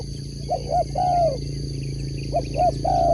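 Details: Spotted dove kept as a sport dove, singing two cooing phrases, each of two short hollow notes followed by a longer drawn-out coo that falls at the end; steady low hum underneath and faint chirps from small birds.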